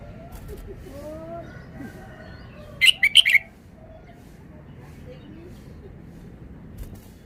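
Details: Red-whiskered bulbul delivering one quick cluster of four bright whistled notes midway, surrounded by long quiet stretches with soft background rustle and faint hum.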